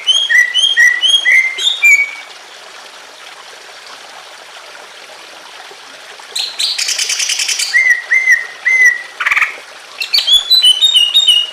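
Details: Emotional song of a greater green leafbird with gently trickling water, used as a model to stir silent leafbirds: quick whistled notes, a quiet stretch, then a harsh rattle, repeated slurred whistles and a varied warbling close.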